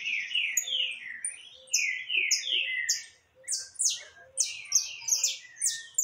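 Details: Saffron finch singing abundantly, 20 October 2021: chains of downward-slurred whistles then loud, blocky high chirps in quick succession, with several birds singing together.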